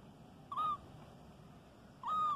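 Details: Albino white Indian ringneck parakeet chick, caged, in Karachi, Pakistan: two short, loud, flat hoarse calls half a second apart in a quiet room.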